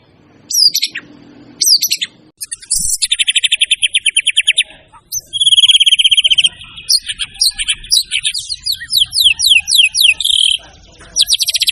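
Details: White-rumped shama champion songster showing off its learned material, used as a training recording for songbirds: sharp notes, then fast rattling trills, a long buzzy run and a cascade of descending whistled strokes.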